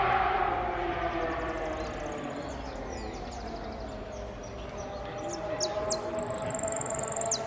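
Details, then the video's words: Saffron finch at a singing competition in Piran, 25/09/16, 'amarillo sin cierre': faint high note series early, then toward the end bright descending notes and a long rapid high trill; steady chatter and hum throughout. "amarillo sin cierre concurso Piran"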